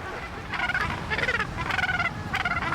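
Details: Cape gannets at Malgas Island, South Africa, the largest Cape gannet colony on earth, calling day and night. Harsh, rasping, rapidly pulsed calls come in four bursts about half a second apart over wind and surf rumble.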